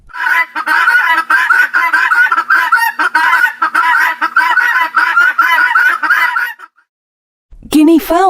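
Guineafowl give harsh, grating cackles in a rapid, continuous chatter for about six seconds, followed by a pause and the start of a different loud call.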